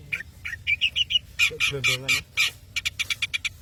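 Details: Madura Long-tailed shrike singing briskly: a chattering string of short, squeaky notes and rasping, buzzy phrases, ending in a rapid run of sharp chips.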